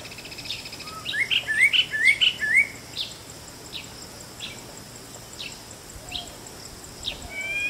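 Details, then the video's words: White-bellied drongo giving a fast series of sharp rising whistled chirps early on, followed by scattered softer notes and a final drawn-out whistle, with a constant high insect drone behind. "White Bellied Drongo Call"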